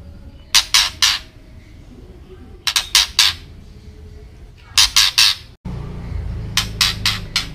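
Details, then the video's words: White-rumped shama ketrekan, a call meant to agitate other birds; rasping triple and quadruple bursts of harsh noise recur every couple of seconds, with low rumbling background noise in the later part. "Ketrekan Murai Batu Agar Emosi"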